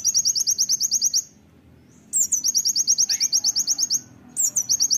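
An Oriental white-eye sings rapid, high-pitched rattling trills of about ten clipped notes per second, in bursts about a second long separated by brief pauses, over faint low rumble.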